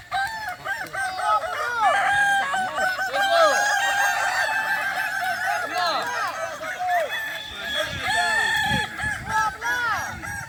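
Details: Many Kukuak Balenggek roosters compete at a boko-class contest final at Sirukam dairy farm, Solok regency, their crows overlapping into a dense chorus of arched, repeated syllables lasting ten seconds, with faint background voices.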